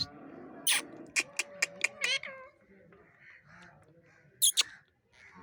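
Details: Angry parrot producing a run of short nasal, buzzy notes that merge into a drawn-out, wavering call, followed by a brief sharp screech a few seconds later.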